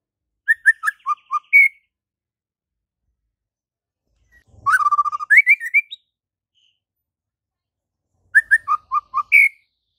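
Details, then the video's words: White-rumped shama in vigorous, varied song: short phrases of clear whistles stepping down in pitch and closing with a rising slur, delivered three times with pauses between, the middle phrase longer with rapid chatter. "Murai Batu GACOR FULL ISIAN"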